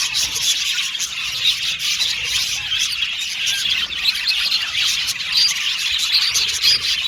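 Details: Budgerigars singing and chattering in a contented group, a continuous bright twitter of rapid chips and warbles, with a few sharper squawky notes and short whistles toward the end.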